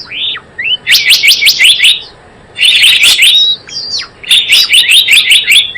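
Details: Trapping lure sound of Java sparrow: short series of bright, evenly spaced chirps, about five or six per burst, separated by silent pauses and a downslurred note.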